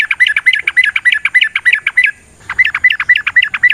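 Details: Sooty-headed bulbul in a long rolling fighting song: rapid chattering run of bubbly, slightly squawky whistled notes, about four per second, broken by a brief pause before the run resumes.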